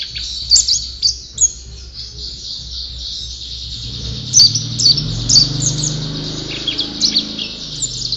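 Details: White-eye, called a champion singer, giving high thin twitters punctuated by sharper loud chirps roughly twice a second, over a low rumbling background noise in the second half.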